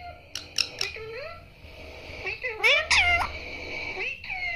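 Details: Pet talking parrot coached to say "mummy papa": rapid clicks, then rising, nasal, voice-like syllables, a louder bent two-part utterance near the middle, and a final upward-swinging note in a small room.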